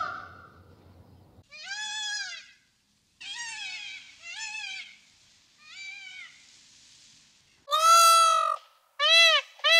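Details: Indian peacocks in a forest give loud, nasal, arching wails. A low rumble opens the recording, followed by a series of fainter cries, then three strong, ringing calls near the end.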